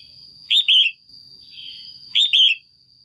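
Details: A female red-whiskered bulbul in a cage, giving its call to stimulate a male or for pairing: two clear two-part chirps about one and a half seconds apart, a soft note between, over a thin steady whine.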